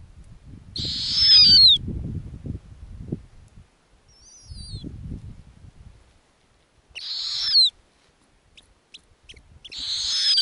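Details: Snowy owl owlets at their nest in the Arctic, where the mother feeds them lemmings. Three rasping, hiss-like screeches spaced several seconds apart, one with a thin squeal at its end, plus a faint high descending whistle and soft rustling.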